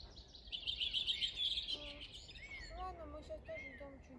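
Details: Bird singing at Bornitsy quarry on 1 June 2021; a dense, high twittering warble lasts about a second, followed by a woman talking over steady background noise.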